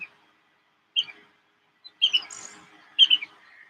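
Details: Brown-hooded kingfisher calling directly overhead at a waterhole, with sharp, high chipping notes, often doubled, about once a second; faint rustling and background noise between calls.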